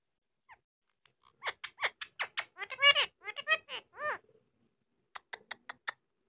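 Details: Pet Indian ringneck parakeet talking, repeating "dude" in a rapid, high, raspy run of syllables, then a short burst of clipped chatter after a pause, in a quiet indoor setting.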